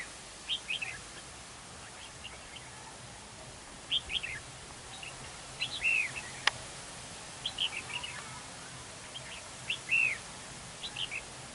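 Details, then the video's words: Red-whiskered bulbul as a trap decoy in a territorial fight on a windy day, singing short chirpy whistled phrases repeated every few seconds with a single sharp click. "Bẫy đấu chào mào"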